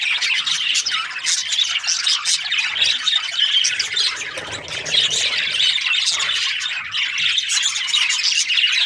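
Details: Many budgerigars chirping at once: continuous busy warbling and squawky chirps, overlapping, with faint low rumble underneath.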